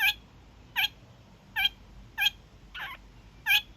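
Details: A young male kakariki's daily evening honks: six short, harsh, nasal honks, evenly spaced about every three-quarters of a second, one slightly rougher than the rest, otherwise quiet background.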